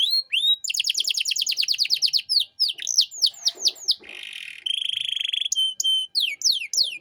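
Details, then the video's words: Master recording of a canary for training young songbirds: rapid high trills and falling whistles, a buzzy rattle, then steady flat tones and clipped sweeping notes. "Masteran Kenari Gacor Cengkok Mewah untuk Burung Bahan"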